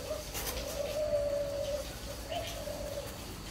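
A spotted dove gives soft, low, hollow coos, one drawn-out note in the middle, over a steady hum of background noise.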